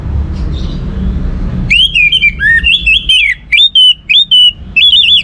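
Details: Orange-headed thrush singing as a lure to get other songbirds going: after a quiet start, a loud run of clear whistled phrases, wavering and slurred, broken into short repeated notes near the end.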